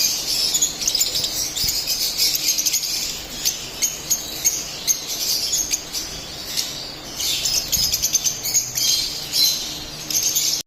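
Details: Split albino lovebirds singing and chirping: dense, high-pitched chatter of sharp chirps and twittering notes, rising in bursts with short quieter gaps, with several birds seemingly calling together.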